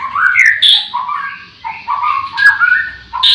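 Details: Morning song of a white-rumped shama in a breeding aviary full of singing birds: a varied run of mellow whistled notes, warbled slurs and short fluting phrases, rising and falling with brief dips in loudness.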